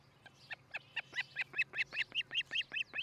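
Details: Osprey calling at its nest in Charlo, Montana, nest camera on a breeding pair, morning of 13 July 2018; a steady series of about a dozen piercing, high chirped whistles, each note slightly rising, delivered rapidly and growing louder.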